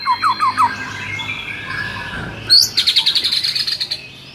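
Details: Tutor recording of white-rumped shama song to rouse a shama that sings too little: a few quick descending whistles, a pause, then a sudden rapid trill of high repeated notes.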